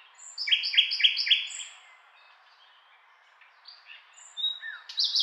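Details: Common nightingale singing: a fast run of four repeated harsh, rattling notes, then a pause, a few soft whistles and a bright rising phrase at the end.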